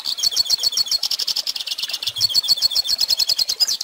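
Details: For young birds learning their song, a goldfinch gives a rapid series of sharp, high chirps in a steady twittering rhythm of roughly three to four notes a second.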